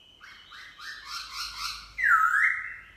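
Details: Black-throated laughingthrush, a freshly wild-caught cage bird, singing in forest style in the morning: a run of quick, descending whistled phrases, then a loud, ringing, sustained whistle.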